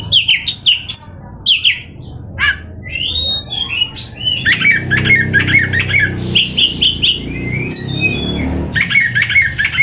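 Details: Oriental magpie-robin delivering a varied, fast song of chattering notes, sweeping whistles and scratchy phrases, over a steady low hum in the background.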